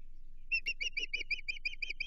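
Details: Nesting osprey on the Chesapeake, June 2023, reacting to an intruder, gives a rapid string of about eleven shrill, slightly slurred chirps in under two seconds; steady low hum in the background.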